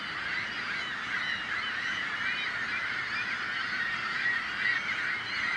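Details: Flock of noisy seagulls, whose calls serve to scare predators away; dense, unchanging chorus of harsh overlapping calls, slightly louder bursts near the end.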